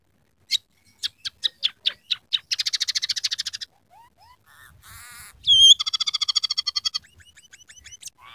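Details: Scaly-breasted munia in vigorous song laced with imitated canary, house sparrow and red siskin phrases. Spaced sharp chips quicken into a rapid rattle, followed by soft upslurred whistles, a buzzy warble, a loud whistle and a fast chatter.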